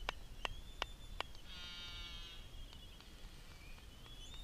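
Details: Black-footed albatross feeding its chick on Midway Atoll; the adult wears a research GPS logger. Four sharp clacks open, then a harsh, buzzy, harmonic-rich squeal lasting about a second, with a thin high whistle running through.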